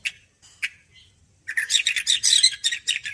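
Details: Freshly bathed white-rumped shama giving a few scattered chirps, then launching into a dense, rapid, scratchy burst of high twittering notes.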